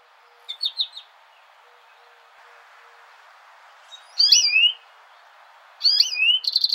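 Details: American goldfinch giving three quick bursts of bright, high twittering notes that swoop up and down, against a quiet background.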